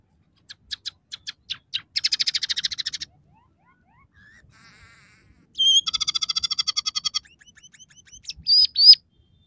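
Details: Scaly-breasted munia in a varied song with house sparrow, red siskin and canary fill-ins: spaced ticks that run into a dense buzzy trill, a quiet pause, a second long rattle, and closing squeaky whistles.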